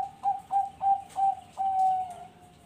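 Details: Slightly softer cooing from a captive perkutut bangkok zebra dove in Bekasi, Indonesia: four short, evenly spaced coos, then one longer drawn note. A faint hiss sits underneath.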